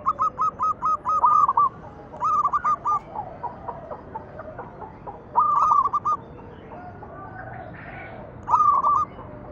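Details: Local zebra dove singing its manggung song, used as a lure to make other doves sing: four bursts of rapid, stuttering coos, the first a long run of about ten quick notes, later phrases shorter, with quiet gaps between.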